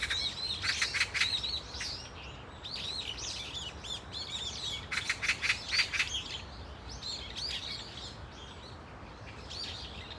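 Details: Brown-eared bulbuls calling together in a flock at Dunsan Grand Park: bursts of harsh, shrill chattering with rising-falling squeals, loudest around the first and sixth seconds, then softer calls against a low hum.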